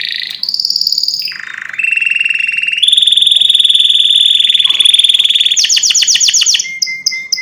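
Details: Loud canary song moving through sustained rolls at different pitches: a high buzz, a lower warbling roll, a long bright trill, and rapid descending sweeps, ending in short pure notes.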